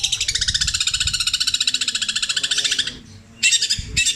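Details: Long-tailed shrike pouring out imitations of kingfisher, kuntilanak and sparrow in petir style. A fast, even, buzzy trill lasting almost three seconds, a brief silence, then two short bursts of the same trill.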